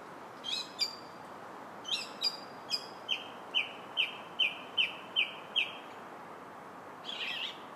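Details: High squeaky notes from a song thrush in July, then a crisp short whistled note repeated seven times at a steady pace, ending with a soft rasping sound.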